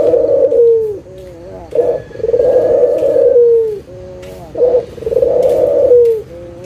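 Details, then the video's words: Barbary dove coo used as a calling lure for lazy doves; two full phrases, each a brief opening note then a long purring low coo that falls away at the close. "SUARA PIKAT PUTER LOKAL GACOR_SUARA PANCINGAN BURUNG PUTER MALAS BUNYI AGAR BUNYI LAGI"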